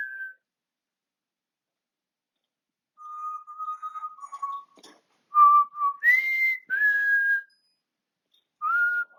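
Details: Whistling by a pet African grey parrot, 20 August 2022: a long, low wavering whistle, then short level notes, a higher clear tone that drops a step, and a final brief whistle.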